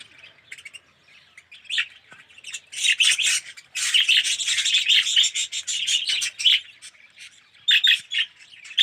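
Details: Aviary colony of budgerigars, some yellow with red eyes, building from scattered chirps into a continuous busy chatter of raspy warbling notes, then thinning to sporadic calls.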